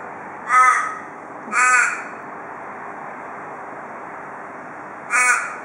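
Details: A wild male Australian raven, a daily visitor to a porch in Perth, Australia, giving the "cock a doodle doo" call typical of Perth ravens: three harsh, nasal caws, the first two about a second apart, then a pause before the third.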